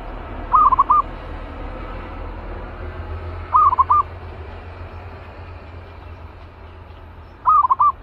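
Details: Spirited caged zebra dove prepared for decoy trapping gives three separate bursts of rapid, soft cooing notes, spaced roughly three to four seconds apart, against a steady low rumble.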